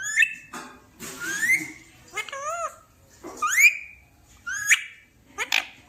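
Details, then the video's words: Talking parrot producing a series of clear, rising whistled and voice-like phrases, each about half a second long, separated by short pauses in a quiet room. "Talking parrot"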